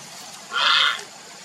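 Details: Grey heron (Ardea cinerea) calling for a mate: one brief, harsh, rasping croak lasting under half a second against a quiet background.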